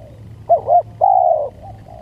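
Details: A single spotted dove lure phrase: two short, rounded coos in quick succession, then one long level coo that sags at the end, against faint low rumble.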